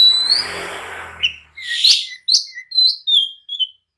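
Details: Agitated oriental magpie-robin (kacer) song meant to goad other kacer into replying and fighting. A burst of broad hissing noise opens, then come about six short separate whistled and chirped notes, some rising, others dropping.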